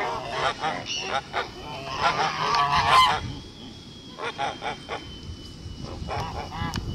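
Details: Farm-kept blue Kholmogory gander hatched in 2016, recorded 21 August 2018, giving clipped honks in irregular series with a louder cluster in the middle and a faint steady whine underneath.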